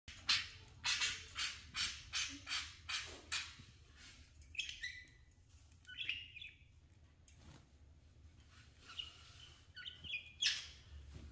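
Budgerigar giving harsh, scratchy chirps followed by bright, twisting warbled notes.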